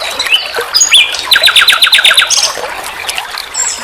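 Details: Nightingale, or sikatan londo, on a songbird training recording: scattered high whistles leading into a quick series of about eight sharp repeated notes, then thinner high chirps fading out.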